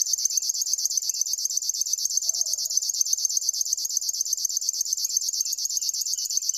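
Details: Continuous high buzzing reel from a River warbler, evenly spaced dry pulses around eleven a second, very regular, over a quiet background with a short soft low sound.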